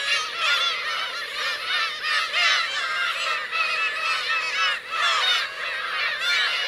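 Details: Black-tailed gull parents and chicks at Kurosaki coast, Teuri Island, Hokkaido, on 17 June 2021 form a dense, continuous colony chorus of nasal, mewing, cat-like calls from many birds at once, overlapping without pause.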